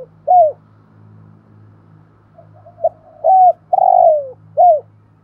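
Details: Spotted dove used as a decoy, 'thổ' voice style, cooing and calling. An isolated loud coo is followed by soft low murmurs, then a loud phrase: a short note, a long falling coo and a clipped final coo, over a low droning hum.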